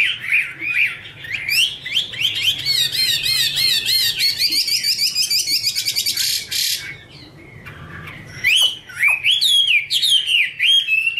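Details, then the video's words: Female Chinese hwamei singing 'te' over a background male: whistled slurs open into a long rapid rattling trill of stacked notes, a brief pause, then more swooping whistles and sharp rising notes. "Chim hoạ mi: Mái te đỉnh cao của năm _ có chim trống làm nền"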